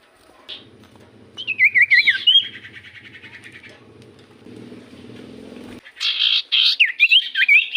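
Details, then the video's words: Common iora song played as a lure to draw replies from other birds: wavering whistled trills and buzzy phrases over a low rhythmic mechanical hum that fades out midway. "Pancingan Burung sirtu cipoh gacor"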